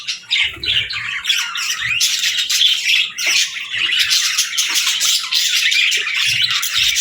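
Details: Captive parakeets alongside lovebirds chirping at dawn: bursts of shrill, overlapping twitters and squawks building after a hesitant opening, then a sustained noisy flock chatter with faint low knocks underneath.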